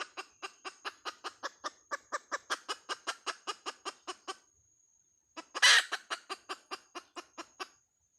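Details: Hen clucking rapidly and rhythmically for several seconds, falling silent, then returning with a loud rough squawk followed by more quick clucks.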